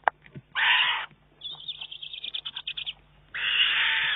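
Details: Juvenile Eurasian eagle-owl begging food from its mother, recorded 19 June 2011. Two loud hoarse rasping screeches about half a second long, with a run of quieter chattering notes between them.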